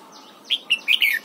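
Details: Red-whiskered bulbul singing in the morning during song training, pushed to sing double-note phrases in a wild-matured style: four loud, clear whistled notes in quick succession, the last slurring downward.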